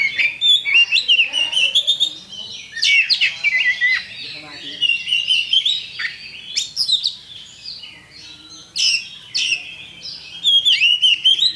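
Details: Lure song of a champion Oriental magpie-robin, used to spur birds straight into fighting: long stretch of rich, fast-changing whistles, harsh buzzy notes and chattering runs in repeated bursts, faint hum behind.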